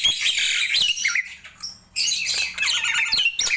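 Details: Nias hill myna calling in the morning, a loud harsh squawking burst, a short lull, then another rush of grating squawks and warbled whistles.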